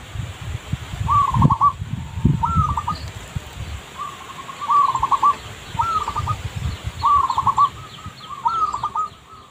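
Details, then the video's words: Zebra dove song used for luring, seven short rolling bursts of stuttering coos spaced about one to two seconds apart, with low rumbling noise throughout. "Pikat Merbuk/Perkutut"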